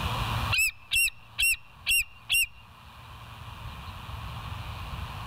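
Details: ['Bald eagles filmed by a live nest-area cam on 20 August 2023, 14:52: five sharp, high-pitched piping notes delivered evenly about two per second, followed by broad hissing background noise.']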